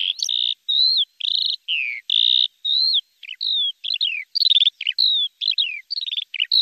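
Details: A lark sings clear whistled notes, some held steady and some slurring down, each separated by a brief gap, mixed with a few quick chirps and short trills, high and pure.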